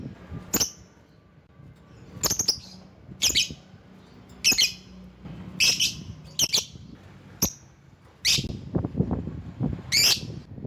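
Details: Lovebird calling to draw out rivals: sharp, high, squawking chirps spaced irregularly about once a second, some in quick doublets, over a low background rumble.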